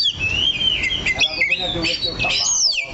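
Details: Oriental magpie-robin (kacer) on a perch delivering long level and gently wavering whistles, then a twisting series of falling slurs and a final downswept note.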